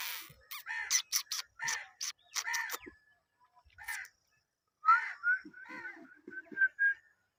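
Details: A talking rose-ringed (ringneck) parakeet gives a burst of harsh, rasping screeches, then after a pause a run of clearer, speech-like warbling phrases.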